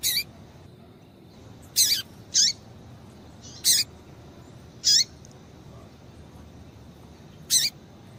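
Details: Female double-collared seedeater giving high, piercing chips that slur downward, used to stimulate a male; six notes at uneven intervals, some close together, over a quiet, steady background hiss.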